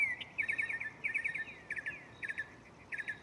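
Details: Mockingbird singing at night from a tree close by, shuffling through its catalog of sounds: quick series of bright chirped notes around the upper-middle range, each phrase repeated several times before switching, over a steady background hiss.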